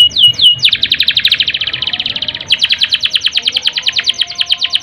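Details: Canary singing a long roll as a stimulus for canaries lacking breeding drive: two rising whistles, then steady rapid pulsed trills, one rolling phrase flowing into another.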